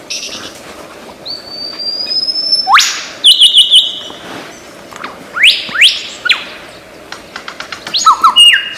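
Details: Mimicking lyrebird delivering a varied medley: a long high thin whistle, rapid trilled chips, rising upswept whistles and a final cluster of quick mixed notes. The phrases are separated by short pauses over a quiet natural background.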